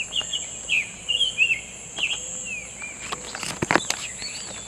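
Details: Summer tanager singing in the wild: short, slurred, whistled phrases that rise and fall, given in quick bursts separated by brief pauses, with sharp clicks near the end and a steady high insect drone throughout.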